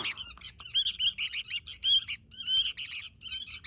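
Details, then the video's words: Sooty-headed bulbul in full song, delivering rapid streams of scratchy chirps and short slurred notes with one brief pause midway. "Suara Burung Kutilang Gacor"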